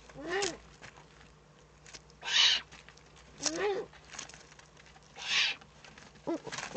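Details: Eurasian eagle-owl recorded in the Eifel on 3 May 2014, giving harsh, airy hisses alternating with brief squeaky chirps that bend upward, roughly every second or two, against a faint low hum.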